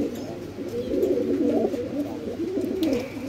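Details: A flock of red tail mark fantail pigeons on a Bangladeshi pigeon farm gives continuous low, gurgling coos that swell and fade, several birds overlapping, with a brief faint higher sound near the end.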